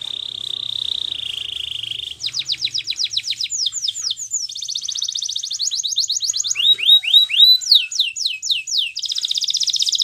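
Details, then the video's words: Russian canary song opening with a steady high buzzing tone, then rapid rolls of sharp descending notes, a dense fast trill and curved whistled syllables, closing on another buzzy high trill. "Russian Canary Singing !! Canary Bird Song"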